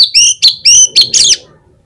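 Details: Lure song of an actively singing Oriental magpie-robin, meant to set other magpie-robins singing: five loud, rich, high notes in quick succession, each with sharp overtones and a falling slur at the end.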